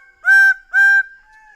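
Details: Two loud, even, trumpet-like honks from a Greater bird-of-paradise, each about a third of a second long, separated by a brief gap, with a faint steady tone lingering behind.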